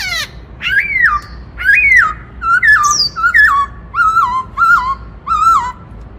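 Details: Captive white-browed laughingthrush singing in the "Bắt Cô Trói Cột" style: loud, clear whistled phrases that slur downward, delivered in a steady series about every half second, over a low background hum.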